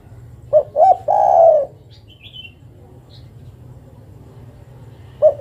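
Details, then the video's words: Female zebra dove calling the male: two short rising coo notes, then one drawn-out low coo, with a brief faint high chirp afterward and another short coo starting at the end. "Suara burung derkuku betina memanggil jantan"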